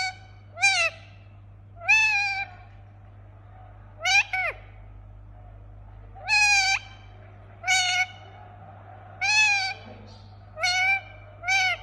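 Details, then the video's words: Pet Indian ringneck parakeet giving harsh, nasal squawks with strong overtones, each about half a second long, some rising and others falling at the end, repeated roughly every one to one and a half seconds over a steady low hum. "Relaxing Parrot Making Sound"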